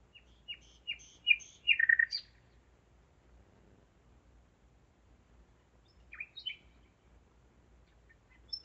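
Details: Common nightingale singing by night, 01:55 on 5 May 2017, in Zeitz, Germany: a quick series of sharp chipping notes swelling into a loud rich phrase, a long pause, then a few more scattered chirps.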